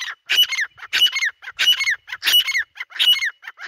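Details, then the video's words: Dhakni teetar, or grey francolin, in the jungle giving a rapid run of shrill, rasping phrases, five or six in under four seconds, each closing with a sharp falling whistle. "Dhakni Teetar | Teetar ki awaz | Dhakni Teetar Shikar Voice | teetar Voice in the Jangle"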